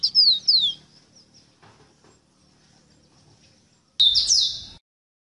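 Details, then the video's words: Rosita bird singing: bright, high whistled notes sweeping downward in two quick phrases, a pause with faint background noise, then a loud final burst of descending whistled notes. "EXTRAORDINARIO CANTO DE ESTA AVE ROSITA"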